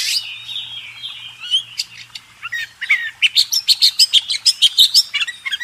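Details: Oriental magpie-robin (kacer) master song used to tutor contest birds: a long sliding whistle, then a fast run of sharp, evenly repeated chirps and short whistled notes, about three per second, with a faint low hum beneath.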